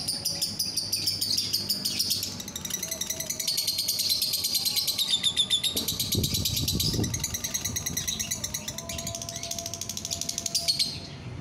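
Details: Green euwing biola-mutation lovebird, recorded 24 November 2021, chattering continuously in a fast, buzzy stream of high scratchy notes and squeaky whistles without pause, indoors against a low background hum.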